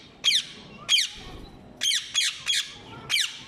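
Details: Ring-necked parakeets calling: short harsh screeches with downward-bending notes, six calls spaced irregularly about every half second, in a quiet indoor-sounding setting.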